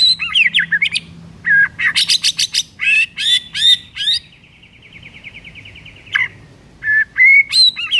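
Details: Varied morning song of a white-rumped shama: fast high chattering notes, buzzy bursts, a long even trill, then sharp whistled phrases resuming after a short pause.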